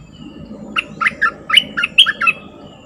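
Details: Bulbul lure call used to attract fierce wild birds: a quick run of about seven short, chattering notes, each with a bright whistled top, spaced roughly a quarter second apart over a soft low rumble.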